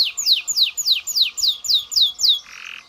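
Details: Canary song used to stimulate mating: seven slow, evenly spaced downward whistled sweeps, about three per second, ending in a short buzzy note.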